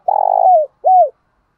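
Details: Spotted dove calling to lure a rival into fighting: a long rolling, vibrating purr sliding downward, then a pause and one arched coo falling away at the end.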